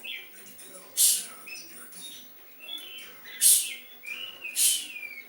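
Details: Oriental magpie-robin delivering a sooty-headed bulbul imitation: a few sharp, very high chirps set among softer rising whistled slurs, with faint background hiss.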